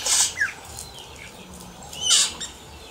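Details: Wild yellow-rumped cacique singing: two loud, harsh, rasping bursts about two seconds apart, separated by a short descending whistled slur and quieter liquid notes.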